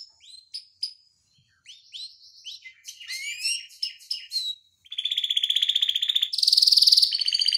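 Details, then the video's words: Canary singing a long rolling tutor song: varied whistled slurs and sweeps, then fast buzzy trills from about five seconds, ending in a very rapid high rattle. "Kenari Masteran Suara Gacor Ngeroll Panjang Untuk Pancingan Maupun Masteran"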